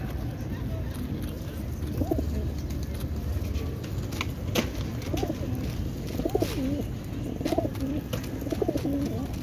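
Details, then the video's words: Racing pigeons in South Africa, 2024, give soft, low, rolling coos, one about every second or two, over a steady low rumble with a few faint clicks. "Racing Pigeons & Cooing sound"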